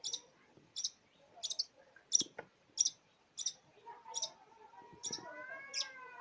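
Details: Long-tailed shrike song rich in mimicry of many other birds: a string of sharp high clicking chirps repeated about every 0.6 seconds, then lower whistled sliding notes toward the end.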